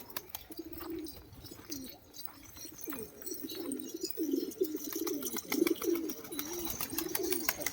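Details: Pigeon in Maharashtra, India; soft, low, repeated cooing phrases that grow louder toward the end, over clicking and tapping noises and a steady background hiss.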